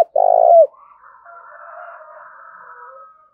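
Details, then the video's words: Spotted dove, 'thổ đồng' voice, a single long, burry, mid-pitched coo ending in a downward slur, followed by faint, drawn-out higher tones fading away. "Tiếng cu gù Thúc và Gáy Gọi Nghe Cực hay"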